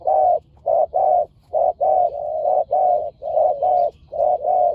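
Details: Two fierce spotted doves calling during a decoy-luring session: low, resonant coos in steady runs, short notes alternating with longer drawn-out ones, with about a dozen coos in under five seconds. No other sounds stand out.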